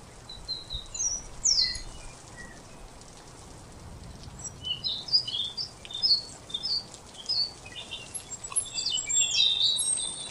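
Golden tanager giving high, thin chips and sharp tsit notes in irregular scattered bursts, possibly several birds, over a steady background hiss.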